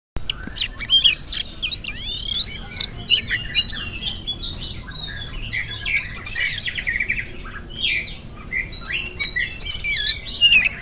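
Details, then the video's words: Oriental magpie-robin in energetic morning song, used as a lure to get other magpie-robins to answer, with varied whistled phrases, sharp chirps and rapid squeaky trills in uneven bursts, some clear high whistles near the middle and end. "PANCINGAN AWAL SUARA KACER GACOR DI PAGI HARI KACER APA SAJA LANGSUNG NYAUT IKUT BUNYI"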